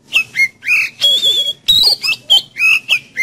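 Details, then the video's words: Oriental magpie-robin in full energetic song, used to spur a kept magpie-robin to sing: a continuous string of loud, varied whistled phrases, rising and falling slurs and sustained notes, roughly ten phrases in three seconds. "Siulan Kacer Penuh Energi Untuk Pancing Kacer Anda Jadi Cepat Buka Paruh"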